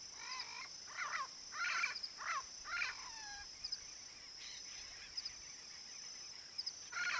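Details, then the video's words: Yellow-faced parrot, or papagaio-galego, in natural habitat in the Brazilian Cerrado: a series of harsh, rasping, squawking notes in quick bursts, then quieter calls, over a steady high insect whine. "PAPAGAIO-GALEGO canto (ALIPIOPSITTA XANTHOPS), YELLOW-FACED PARROT"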